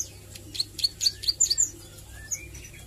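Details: Young plain prinia practising nglagu and nembak song: a brief run of about eight sharp, high chipping notes, ending in a few softer sliding whistles.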